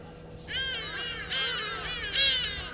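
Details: Two Burchell's starlings fighting at Gowrie dam waterhole, Djuma Game Reserve, Sabi Sand, South Africa, 20 October 2022 at 16:39, on a live camera. Three loud, harsh, grating squawks rise in intensity over steady low mechanical hum.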